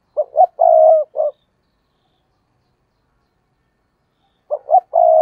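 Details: Decoy spotted dove calling in a tree to attract wild doves; two coo phrases, each of short hooting notes then a drawn-out croon, with silence between.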